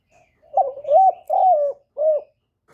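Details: Spotted dove kept as a decoy for wild doves gives a cooing series recorded without background noise: a wavering opening coo, two longer level coos with falling ends, and a final shorter coo, all low and mellow.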